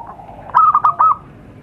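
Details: Zebra dove lure call used to attract wild birds: a short, clear burst of four rolling, trilled coo notes, closely spaced over about half a second, against a quiet background hiss.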